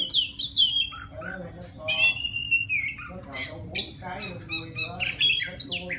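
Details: Wild forest Oriental magpie-robin singing to call a female: a varied run of clear whistles, sliding notes and harsh rasping phrases, high-pitched and loud, with fast chattering bursts in between.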